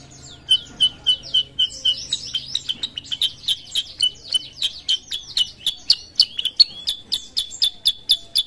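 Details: Sooty-headed bulbul in full song: a long run of sharp, high chirps and short slurred notes, delivered rapidly at about four per second with uneven spacing, with a faint low hum underneath.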